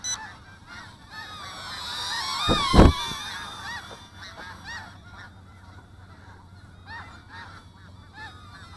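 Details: Many snow geese in the area call at night in a nasal, honking chorus of short barks, while a small drone flies nearby, adding a loud mechanical whir and a clatter partway through.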